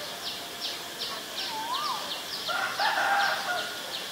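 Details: Asian barred owlet: a short rising whistle, then a louder bubbling, wavering harmonic phrase in the second half, over a regular background of high chirping notes about four per second.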